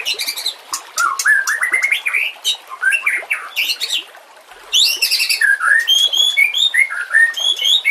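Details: Training recording of a white-rumped shama with nature and water sounds: a dense stream of rising whistles and chatters, a brief lull midway, then clear, separate whistled notes climbing and dipping.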